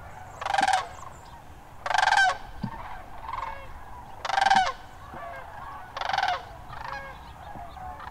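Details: Wintering sandhill cranes, Hiwassee Wildlife Refuge, Tennessee, January 2013: loud, rolling, trumpeting rattles repeated roughly every one and a half to two seconds, answered by softer calls from the surrounding flock.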